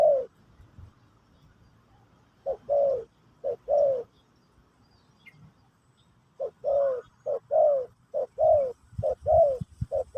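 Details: Spotted dove singing in the Pesom or Kacuk style, used to teach a new bird. The song comes as two bursts of short, hollow, mid-pitched coos, with a quiet gap between them. Later coos are quicker and more regular.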